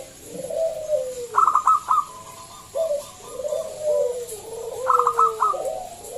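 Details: Local zebra dove with a loud voice, used as a lure to get other doves singing: two phrases, each a quick burst of staccato clicking notes followed by long, gently falling coos; faint background hiss.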